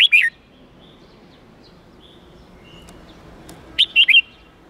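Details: Red-whiskered bulbul singing in the 8-9-10 note wild-standard style to train young birds: a brief two-note whistle at the start, a long quiet gap, then a fast three-note whistled phrase.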